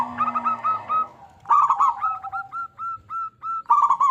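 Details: A local zebra dove (perkutut), used as a lure call, sings soft, burry trilled coos, then a run of clear, evenly spaced cooing notes about three per second, ending in another trilled burst.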